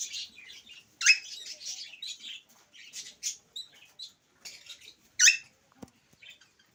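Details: Talking Alexandrine parakeet, a pet parrot using Urdu and English, gives clusters of raspy, word-like chattering bursts, two loud grating shrieks standing out amid the shorter phrases, with a faint click near the end.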